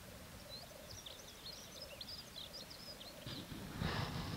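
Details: Black grouse at a 2014 courtship display, a steady low bubbling murmur running throughout, with thin high chirping notes above and a loud broad hissing rush near the end.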